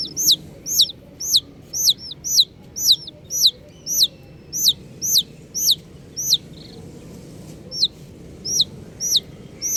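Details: A steady stream of shrill, descending peeps from colourful baby chicks, about two per second, briefly lapsing into quiet near the end before a few more chirps return.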